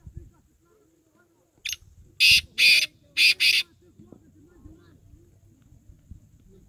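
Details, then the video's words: Black francolin giving its full call: one brief scratchy opening note followed by four loud, harsh, rasping bursts in a clipped rhythm, with soft low murmurs in the background. "black francolin calling, titer ki saf awaz"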